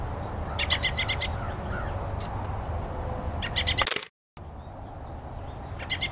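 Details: American robin singing short bursts of quick, clear, slightly rough notes in groups of phrases, over a steady low rumble of background noise.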